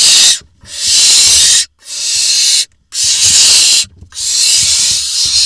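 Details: Barn owl nest box in Israel, 23.6.21, as the father arrives with a vole: loud drawn-out rasping hisses, four in a row, each over a second long with short silent gaps.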